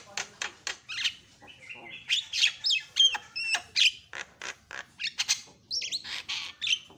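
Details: Javan myna reacting within seconds to a lure sound: busy chatter mixing harsh rasping notes with short whistled slides and squeaks, delivered rapidly and irregularly throughout.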